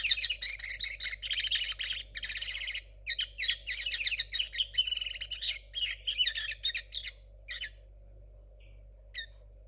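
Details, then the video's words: Caged linnet hybrid from 2022, a young bird whose song is still messy and unformed, delivers a long run of rapid chirps and buzzy trills, then fades to a few scattered notes, with a constant background hum. "Hoy os presento a Tsunoda (mixto de Pardillo 2022)"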